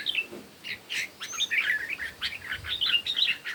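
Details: Red-whiskered bulbuls in a morning singing contest, with chirping whistled phrases repeated among several short bursts over a steady hiss of background noise.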